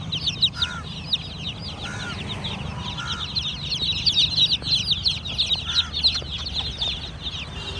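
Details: Baby chicks of the domestic chicken chirping as a flock: dense, rapid high peeps, many overlapping, each a short downward-sweeping note, with a few lower clucks and a steady low hum beneath.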